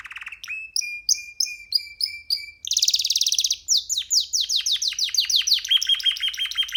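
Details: Free canary chick singing perched on a hand: steady repeated flat whistles, a dense buzzing roll, then a series of swooping downward notes and a closing high trill.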